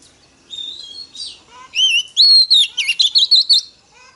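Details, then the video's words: Female Oriental magpie-robin song, sung to stimulate males: soft introductory whistles and chatter, then a loud strophe of a long clear whistle followed by a rapid series of looping, bouncing whistled notes. "Choè than mái kích trống hay nhất"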